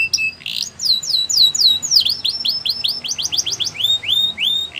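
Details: Canary song with a quick series of repeated swooping whistles that speeds into tighter, faster falling notes before slowing again near the end.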